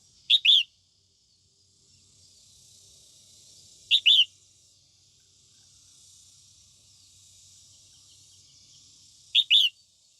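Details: Female red-whiskered bulbul singing in the morning to stir up white-cheeked males, giving short bright double chirps at three points across ten seconds, with a soft high hiss filling the gaps.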